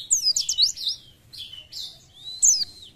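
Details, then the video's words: A kept Oriental white-eye, in fit condition and singing loudly with its beak wide open, sings in quick bursts of high, thin twittering, with sweeping notes tumbling rapidly together and brief pauses between phrases. "PLECI JOSS ..BUKPAR KEREN..FIT NGICAU LOSS"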